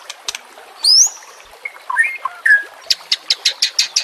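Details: White-rumped shama (murai batu) training song in harsh 'nembak' style with nature sounds and trickling water: a high thin rising whistle, scattered short slurred notes, then a fast series of about eight sharp clicking chips.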